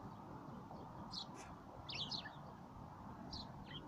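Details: City sparrows in Moscow give short, bright chirps in scattered bursts, some doubled, over a steady low rumble of urban traffic.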